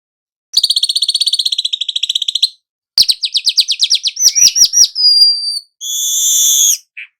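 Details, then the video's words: Weaver, a young bird singing actively as a training lure for other birds: a two-second ticking trill, stuttering chatter, a thin whistle, then a sustained buzzy wheeze. "Burung manyar muda AKTIF NGEROL pancingan segala jenis burung"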